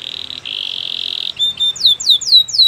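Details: Canary singing as a training example: a long level buzzing trill, a brief pause, then several loud, clear downslurred whistles in quick succession.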